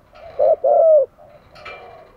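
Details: Single coo phrase from a decoy spotted dove luring wild doves: a short note then a longer drooping hoot, followed by a faint quieter sound.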